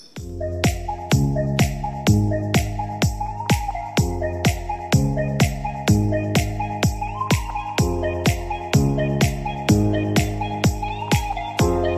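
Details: Electronic music with a steady thumping beat and layered synth tones, no animal voice heard. A deep bass pulse repeats about once a second beneath sustained chords.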